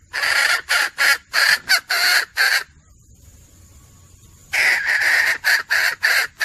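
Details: Hunting-lure recording of a female red junglefowl: rapid harsh clucks, a silent stretch with a faint high electronic whine, then the rasping cackling resumes.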